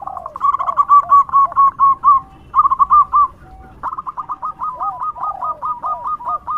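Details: Loud local zebra dove singing as a lure for other doves: fast strings of bright clipped notes delivered in rapid runs, a short gap, then a long steady series, with a few lower curving coos.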